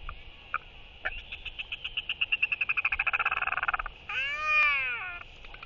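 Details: Courting royal albatross greeting its arriving partner with skycalls during a display: a fast train of sharp clacking pulses building in loudness for about three seconds, followed by a drawn, arching nasal wail, with steady wind behind.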